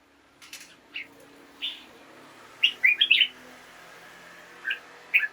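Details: Red-whiskered bulbul song for rousing caged birds in the morning: a few soft chirps, then a quick run of bright warbled notes, with steady low background noise throughout.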